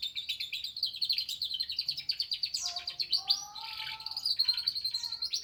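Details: Canary in lively continuous song mixed with lovebird phrases: dense rapid chattering notes, buzzy slurs and a few lower whistled tones, running without a break.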